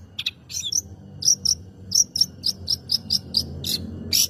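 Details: Long-tailed shrike singing to provoke other birds: a short scratchy phrase followed by a run of thin, high, clipped notes repeated at a brisk regular pace.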